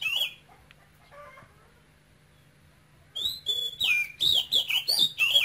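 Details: Male oriental magpie-robin singing in its cage. Taken young from Cambodia, it has the Quảng Ngãi voice type with a Cambodian character. One whistle is followed by soft quiet notes, then a vigorous run of loud sliding whistles over the last two seconds.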